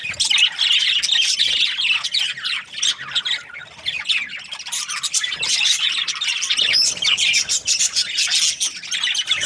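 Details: Group of budgies calling, a loud, unbroken stream of sharp chirps, squeaks and grating squawks, pulsing unevenly in intensity.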